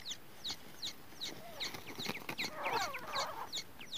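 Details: First-day teetar chicks, grey francolin, utter steady repeated high downslurred peeps about three times a second. A busier, lower jumble of chirping and rustling builds toward the end.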